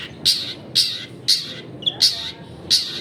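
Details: Long-tailed shrike as a lure for other shrikes, giving loud harsh rasping notes repeated about twice a second, with a short thin whistle in between.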